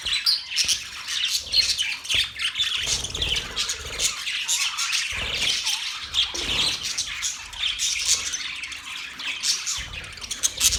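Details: Long stretch of budgerigar chatter: sharp squawks, clicks and warbling chirps follow one another rapidly and unevenly throughout.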